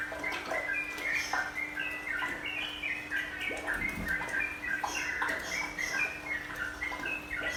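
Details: Sooty-headed bulbul singing in a training recording meant to make it calm, nropel and menggaruda. Lively, varied chirped notes come in dense bursts against a constant hiss and hum.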